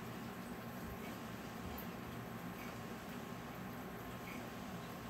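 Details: Quiet indoor room tone with a faint steady hum and soft hiss, no animal calls heard.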